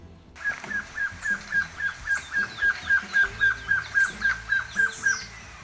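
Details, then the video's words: Gartered trogon in Costa Rica, a lowland and foothill bird of forests and gardens, calling a steady series of about twenty clear, equally pitched "pew" notes, roughly four per second, with faint other birds behind. "Its call is a series of equally pitched “pews”."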